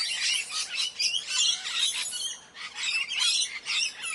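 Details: Morning parrot sounds: several parrots overlap in a dense, continuous stream of harsh, high squawks and chirps without pause.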